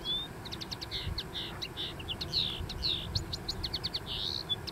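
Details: Dune-dwelling common linnet in full song: a fast, varied stream of clipped twittering notes, nasal buzzes and thin whistles, delivered continuously over a constant background rush.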